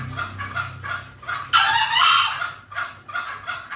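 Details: Green junglefowl call used as a lure for wild birds: fast clucking pulses, more than two per second, interrupted by a loud, broad, hoarse burst lasting nearly a second.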